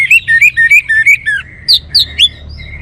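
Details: Song of an orange-headed thrush: a rapid series of about eight loud whistled notes alternating between higher upswept and lower flat tones, then a pause and three sharp, rising whistles ending in softer trailing notes.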